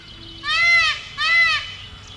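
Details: A male Indian peafowl dancing by a roadside in India gives two loud, nasal, wailing calls, each about half a second long and a quarter second apart, to call a peahen to him, over a quiet background.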